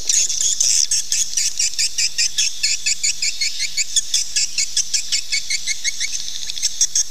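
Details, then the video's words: Calling sound to attract swiftlets to nest: a short burst of high twittering, then a long, regular train of sharp, high chirps pulsing steadily to the end. "SUARA PANGGIL BURUNG WALET"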